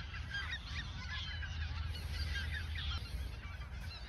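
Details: A flock of geese in the Ochsenmoor nature reserve, autumn 2022, days before their migration south, gives a dense chatter of short overlapping honks over a low background rumble.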